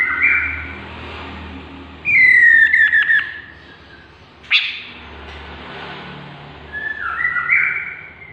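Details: A chestnut-capped laughingthrush opens with a faint whistle. A strong, downward-sliding whistle with fast stuttered pulses follows, then a short sharp crack. Softer wavering whistles return at the end.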